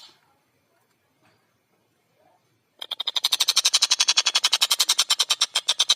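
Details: Long-tailed shrike in lively song: near silence at first, then an abrupt, loud run of rapid, grating notes, steadily repeated and growing stronger over about three seconds.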